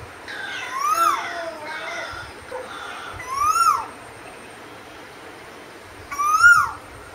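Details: Singing Asian koel: three ringing, upslurred whistles spaced a few seconds apart, each climbing and then dropping sharply. Quieter answering whistles echo faintly early on.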